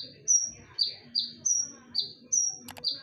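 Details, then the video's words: Piercing whistles from a konin used as a lure. Falling notes alternate with brighter flat high notes, six in three seconds. A brief click late on, over quiet low noise. "SUARA TAJAM DAN NYARING / BERANI DENGARKAN SUARA PANCINGAN KONIN INI??"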